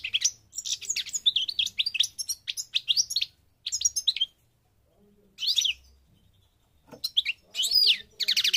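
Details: European goldfinch of the Parva type from Morocco, North Africa, singing fast tinkling twitters and trills in bursts separated by short pauses, with a high buzzy trill near the end.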